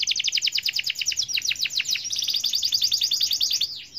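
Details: Canary singing in a loud, energetic 'gacor' style: rapid runs of bright descending chirped notes, roughly three per second, shifting partway through into faster trilled phrases and ending on a sweeping note.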